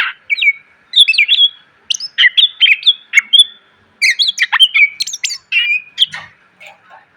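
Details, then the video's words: Varied song of a greater green leafbird meant for tutoring caged birds, packed with borrowed phrases: bright whistled slurs, sharp chips and downward-sweeping notes delivered in bursts with brief pauses. "MASTERAN CUCAK IJO SUARA PLONG!!! ..penuh isian.."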